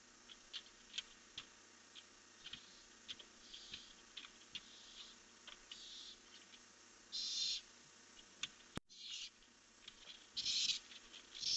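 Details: Barn owls at a nest at night, heard before flying off into the dark: harsh, breathy hissing bursts near the middle and end, between soft scattered clicks and tapping sounds.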